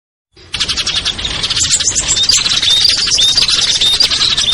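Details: Lure mix of small Indonesian birds such as ciblek, kutilang, trucuk, sogon and perenjak, used to draw wary birds down; after a brief silence, a dense, busy chorus of high chirps and short whistles starts abruptly and continues steadily.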